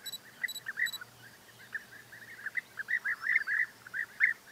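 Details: European bee-eaters calling together: a busy stream of short, purring, rolling notes that overlap and grow denser toward the end. Three brief high electronic beeps sound at the start.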